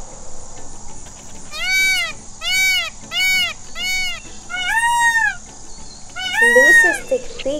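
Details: White peafowl, a peacock, giving a series of loud, nasal, mewing calls, each an arched, harmonic-rich wail, about six in quick succession over several seconds, the last ones longer and more strained.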